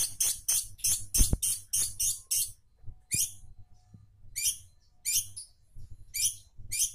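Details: Long-tailed shrike singing actively, used as a lure recording: series of harsh, scratchy broadband notes in rapid bursts, then spaced single rasping phrases, over a steady low hum.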